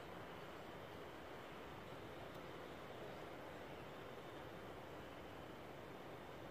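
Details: Quiet, even background hiss with a faint low rumble and no animal calls.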